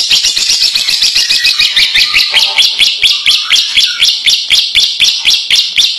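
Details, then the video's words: Lovebird in long ngekek chatter, its song filled with cililin-style notes: loud, fast, high-pitched chirps repeated about four times a second in a steady rattling run. "Burung Lovebird ngekek rasa cililin mantab abis"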